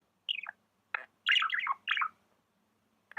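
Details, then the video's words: Pet budgerigar chirping: short warbled notes sweeping downward, a tight burst of chattering syllables in the middle, then a final chirp after a pause. "Amazing budgie chirping sounds"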